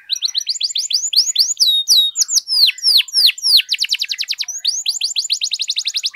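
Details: Energetic canary song used to raise the excitement of other canaries so they sing: a continuous stream of sweeping, looping chirps and quick falling notes, with fast trilled bursts near the end.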